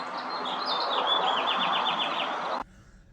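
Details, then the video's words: Male house finch sings in April, with a female in a sycamore tree: a quick, high warble of slurred notes, about six a second, over a steady low rushing background noise. "this female house finch is in our sycamore tree and you can hear the male singing"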